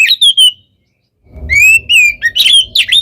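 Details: Oriental magpie-robin in nonstop singing that provokes other birds: a few clear whistles, a short silence, then a rising drawn whistle followed by quick chirps, with a low rumble in the background.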